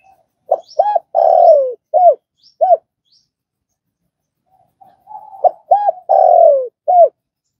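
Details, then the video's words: Spotted dove calling twice, for training newly caught doves: each phrase has quick hooked notes, a long downward-sliding coo and a couple of short trailing notes, with a few seconds of near silence between. "Tiếng cu gáy | tập bổi nhanh nổi"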